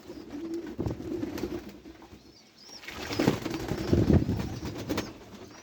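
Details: Pet pigeons give deep, murmuring coos that swell and fade, strongest toward the end, with scattered taps and a brief wing flutter among the birds.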